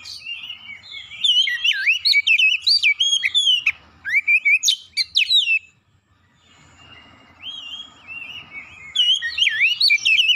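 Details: Oriental magpie-robin giving a heated provoking song to make another bird sing: long runs of rapid looping whistles and sharp chirps, a pause with faint softer notes, then the fast whistling resumes.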